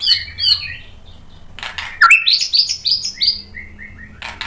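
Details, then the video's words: White-rumped shama singing a lure song meant to provoke another bird to sing: short high whistled notes, a quiet gap, then a burst of clear rising and falling whistles and chips with faint background hum. "KICAUAN MURAI BATU merangsang EMOSI jadi NYAUT GACOR NGEPLONG BONGKAR MATERI | PANCINGAN MURAI"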